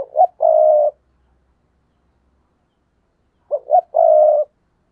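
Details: Spotted dove giving its coo phrase to lure wild doves, repeated twice about three and a half seconds apart. Each phrase has two brief notes and a long, full coo, with silence between.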